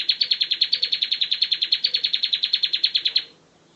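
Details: Bar-winged prinia singing, offered as a master song for training birds: a rapid, even trill of about 27 sharp high notes over three seconds, ending abruptly.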